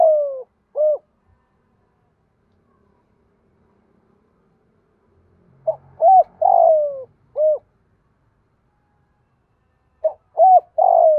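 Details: Spotted dove cooing, used in Vietnam as a lure to stir wild-caught doves into calling: three separate phrases, each of short low coos ending in a longer, drawn-out descending coo, with clean silent gaps between phrases.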